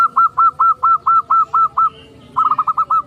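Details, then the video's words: Zebra dove (perkutut), singing actively with a big voice: a loud series of eight evenly spaced clipped cooing notes about four per second, a brief pause, then a quicker rattling burst of five notes. "burung Perkutut gacor - mbpg suara besar"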